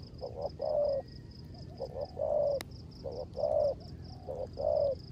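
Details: Rước gù cooing from a decoy spotted dove during rain: repeated low phrases of two or three short notes followed by a longer gently falling hum, about once a second, with persistent high chirping behind.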